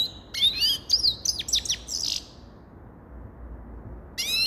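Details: A grey-crowned goldfinch gives a two-second burst of bright, quick chirps and twitters, then falls silent before one more slurred note at the end.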